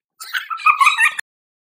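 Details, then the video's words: Indian ringneck parakeet kept as a talking pet, voicing a loud, rapid, raspy word-like phrase of several connected syllables with wavering nasal pitch, lasting about one second. "Talking Parrot | The Talking Indian Ringneck"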